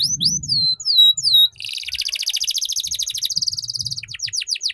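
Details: Young canaries learn from this ngeriwik tutor song: looping, swooping whistled notes give way to a long rapid trill of repeated notes, ending in rhythmic falling chirps, with faint low noise.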